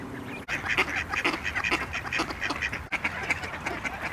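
Khaki Campbell duck giving a fast run of raspy, nasal quacks, about two a second, with only brief pauses.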